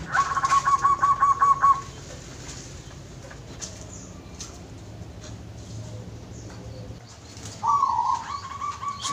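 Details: Unusual call from a caged zebra dove housed with two others: a quick beaded trill of even staccato notes lasting under two seconds, then a quiet stretch with faint rustling, and a second rougher trill near the end.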